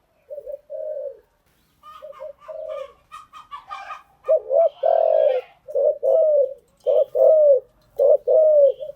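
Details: Spotted dove cooing, a call used to train newly caught birds: low paired coos repeated steadily, preceded by a burst of higher chirping notes in the middle.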